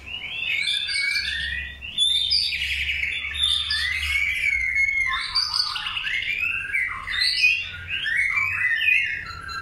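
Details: Rich, continuous warbling from a long-tailed white-rumped shama while being paired for breeding, full of rising and falling whistled slurs, chattering fragments and quick high accents without pause.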